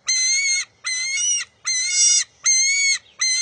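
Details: Eaglet of a bald eagle pair at the nest, June 23, 2021, contesting a fish with its mother: five long, piercing, level whines with rich overtones, separated by short pauses, in a quiet background.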